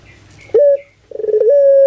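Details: Captive puter pelung dove from Java, Indonesia, in an anggungan cooing concert. A brief sharp note is followed by a pause, then a rough rising onset that settles into a long, clear sustained coo.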